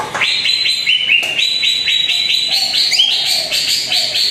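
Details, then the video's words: Greater green leafbird song for coaxing a rarely singing bird: crisp repeated chirps delivered in stepped series, dropping then rising again, with a faint lower whistle behind. "PANCINGAN CUCAK IJO ANDA YANG JARANG BUNYI"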